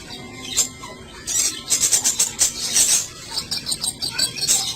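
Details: Black sunbird singing: a dense run of thin, high, rapid chirps and twitters pouring out almost without pause, rising and falling in short bursts over a faint background hiss.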